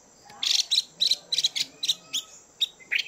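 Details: A chùi call from a female Chinese hwamei meant to stimulate males: a rapid string of sharp, high chirps, some doubled, spaced irregularly across about three seconds.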